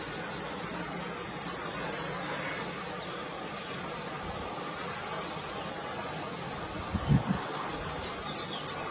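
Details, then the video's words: A European serin (Serinus serinus) sings in high, fizzing, jingling bursts of about two to three seconds, separated by pauses, over faint background noise. "Verdecillo Cantando"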